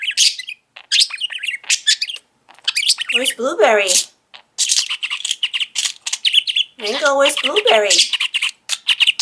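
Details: Five-year-old pet budgerigar singing and talking in a room, a stream of buzzy, scratchy warbles mixed with two longer stretches of a person's voice.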